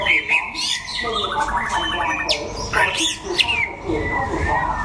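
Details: Contest singing of a white-rumped shama from Đắk Lắk, Vietnam, sunning: rapid trilled series, sharp upward-sweeping whistles and a long falling whistle near the end, with constant low background murmur.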